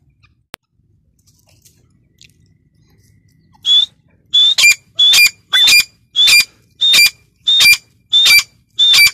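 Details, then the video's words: Female grey francolin calling: a series of about nine loud, high, clipped notes, each a sharp whistled note with a squeaky tail, repeated roughly every half second after a quiet start. "female teetar sound | gray francolin teetar sound"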